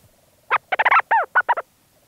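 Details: Leach's storm petrel calling from its burrow, recorded close up at St Lazar: a quick chattering burst of about eight staccato notes, some arched and falling, over a quiet low hum.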